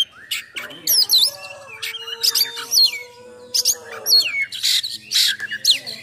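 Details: Oriental magpie-robin in full 'nembak' song with rough fill-ins, used to provoke and train other magpie-robins. Looping whistled phrases and sharp high bursts alternate, over a faint steady low tone.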